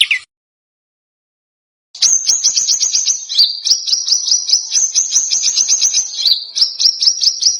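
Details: High bird song from a contest-bird training recording, billed as dense, harsh and sharp: after a pause, a long, rapid, rattling trill of high chips runs on with brief changes of pitch.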